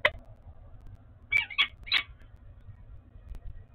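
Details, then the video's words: Peregrine falcon bonding at a nest site in Oudenaarde, 11 February 2021. One sharp harsh note opens, then after a pause three quick scratchy calls follow close together, then quiet apart from a low hum. "Oudenaarde Peregrine Falcon - Bonding 20210211"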